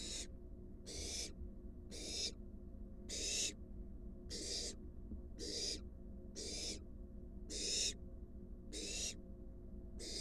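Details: Wild barn owl at a monitored nest box, an adult bringing a large rat to its fledgling: harsh, breathy hissing bursts repeated about once a second, ten in a row, over a low steady background hum.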